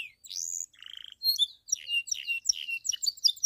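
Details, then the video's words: Pied Belgian canary in the bell song style, used to rouse other canaries and females: a rising whistled slur and a brief rattling trill, followed by a tumbling, varied burst of high chirps. "Canário Belga canto CAMPAINHA (sing bell belgian canary)"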